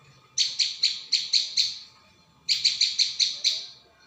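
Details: Prinia lure call: two evenly paced series of six bright, high chips, roughly four per second, separated by a second of quiet.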